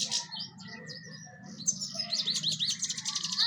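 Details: Brief European goldfinch song: bright high chirps and quick, rising-falling twitters building toward the end, over a constant low background hum.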